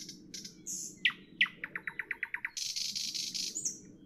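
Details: Nightingale in the evening opens with scattered whistles, then accelerates into about ten rapid staccato notes before a long, rasping buzzy trill. Steady low background hum is present.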